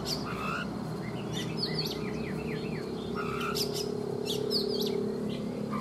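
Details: Older wild-caught Oriental magpie-robin, kept caged for three seasons, singing in the morning: varied clear whistles, short upslurs and sweeping notes in quick succession over a steady low hum.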